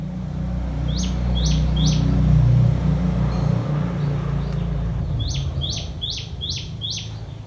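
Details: Common tailorbird feeding chicks, the parent carrying prey to them: a burst of three loud, high, downslurred notes, a pause, then a run of five more in quick succession, over low background noise.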